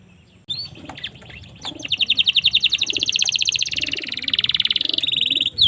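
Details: Singing domestic canary, song offered for training young birds: a quiet start, then a rising, sustained, buzzy rolling trill of high repeated notes that continues for several seconds, with faint low cooing behind.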